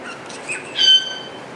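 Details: A wattled starling (Creatophora cinerea) in an aviary in Alphen aan den Rijn, Netherlands, sings a thin, squeaky whistle, a flat high note with a metallic, wheezy edge, after some faint scratchy sounds.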